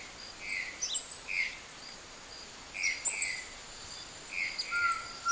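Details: Opal-rumped tanager recorded in Porto Seguro, Bahia, Brazil: sharp, very high chips in short bursts about every two seconds, with buzzy lower notes between them and a steady low whistle near the end.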